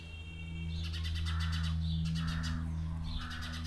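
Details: Birds in a natural setting give loud, harsh, rapidly pulsed calls in three bursts, over a strong continuous low drone.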